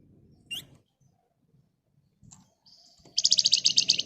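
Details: Flamboyan bird in full energetic song, meant to coax other birds into answering: an isolated upward chirp and faint scratchy sounds, then a loud, rapid, tightly packed rattling trill of high notes fills the final second.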